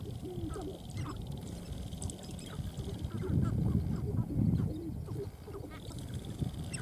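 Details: A busy chorus of sharp-tailed grouse at a dancing ground: rapid, irregular clucking and cackling notes from many birds, with a heavy low-pitched rumble swelling near the middle.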